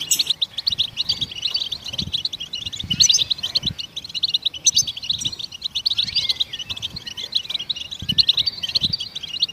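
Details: Goldfinch song to stimulate other songbirds: a long run of fast, bright twittering chirps, steady throughout, with a few thin sliding whistles and soft low thumps.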